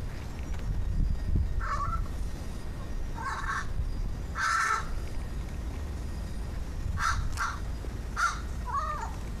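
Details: Crow making strange sounds, heard while someone investigated warbles and weird noises; a run of short harsh calls in irregular bursts, a few with a warbling, wavering quality, over a low background rumble.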